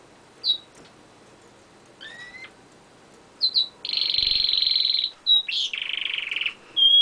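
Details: Close recording of a pet canary singing on a window ledge: sharp high chirps and a slurred two-note whistle, then long dense buzzy trills, alternating higher and lower, and a final clear whistled note.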